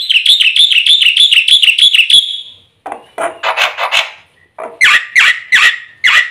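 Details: Black-winged myna fill-in song meant to make birds sing morning, noon and night. A fast high trill ends, followed by loud, harsh, scratchy notes repeated irregularly.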